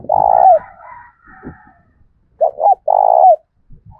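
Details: Spotted dove in the thổ voice style, cooing to provoke wild doves and decoy birds: a long coo ending in a downward curl, then after a pause two short notes and another long, steady coo, with low thumps in the background.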